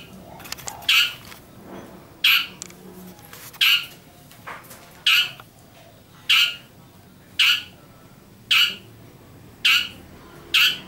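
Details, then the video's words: Shrike giving an unusual call: loud, harsh rasping squawks, each short and broad, repeated roughly every one and a half seconds in a steady series over quiet background. "burung pentet suara aneh"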